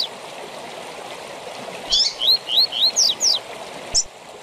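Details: One phrase of Double-collared seedeater tui tui zel zel song for training captive birds: a sharp buzzy start, four rising whistles in quick succession, then two steep high downsweeps, all over a running-water hiss.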